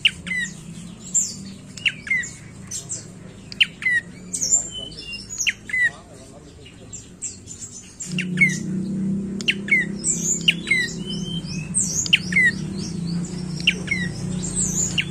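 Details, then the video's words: Prinia giving sharp, high chirps and squeaky, swept notes in rapid irregular bursts, some falling and some rising, with a steady low hum underneath that grows louder about halfway through. "Suara Prenjak Coki"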